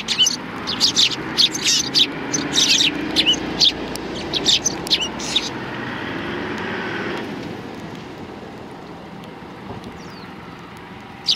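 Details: Sparrows coming to be fed at a Tenmangu shrine on 16 January 2020: a burst of rapid high chirps through the first half, then only a steady low rumble of traffic-like noise.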